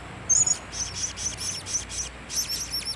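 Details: A lone blue-crowned hanging parrot, recorded 26 October 2017, utters piercing, very high, thin tseet notes about four per second, some slightly buzzy, in a near-continuous run.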